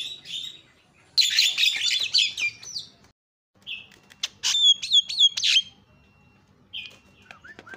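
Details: Javan myna sounds played to tempt other mynas into calling: dense, shrill chattering chirps, a pause, then sharp clicks and a short series of clear, high whistled notes, with a faint steady hum beneath.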